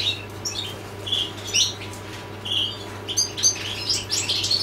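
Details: Goldfinch song of scattered bright chirps and short tinkling phrases, some notes repeated at intervals of about a second, with a constant low hum behind.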